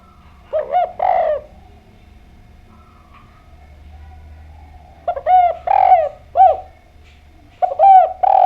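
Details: Spotted dove, known locally as derkuku or tekukur, used as a lure to prompt other doves to answer: soft low coos in two bursts separated by a few seconds of quiet, each a short run of rounded notes.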